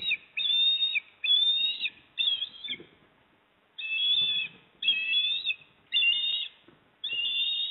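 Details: At a Port Lincoln nest in South Australia, 28 September 2024, as the male osprey arrives with a fish for the female: repeated shrill whistled notes, each under a second long and gently rising, in bursts with short pauses and faint rustling.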